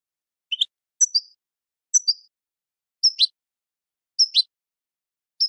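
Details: European goldfinch song for training birds: short high double chirps, each a quick pair of notes, repeated about once a second in a quiet background.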